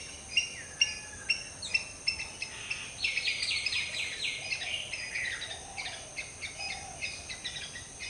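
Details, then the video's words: Early morning in the jungle, a Black-hooded Oriole (Oriolus xanthornus) preens and calls: a burst of rough, buzzy notes crowds the middle seconds, framed by quick repeated chirping of other birds and faint insect hum. "Black-hooded Oriole Preening & Calling in the Morning"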